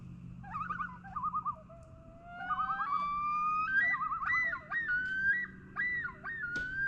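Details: Several common loons calling across a quiet Minnesota lake: quavering, yodel-like warbles broken by long, slowly rising wailing whistles, haunting mid pitch over a faint low hum.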